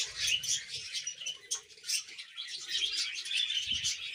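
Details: Several pet budgerigars chatter steadily in a thick mix of warbling, chirping and scratchy squeaks, with a faint low rumble and occasional knocks in the background.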